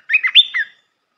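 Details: A single short red-whiskered bulbul phrase from a training song for young birds: four quick, mellow, whistled notes that rise and fall, ending in a slurred downward note.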